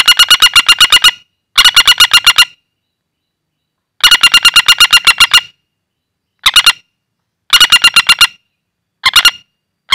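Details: Common flameback caught wild and calling loudly in the hand, a call used for luring birds: repeated rattling bursts of rapid harsh notes, some long runs of ten or more, others short, with brief silences between.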